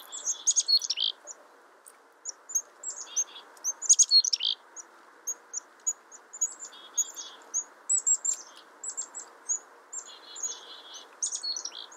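Black-capped chickadee giving high, quick chirps and short buzzy notes in scattered bursts, with a steady low rumble of background noise.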